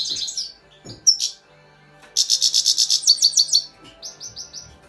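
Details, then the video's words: Grey-crowned goldfinch, high chirping notes then a fast run of about a dozen pulsed twittering notes, ending in four short descending whistled slurs; faint low hum beneath. "Щегол чир чир"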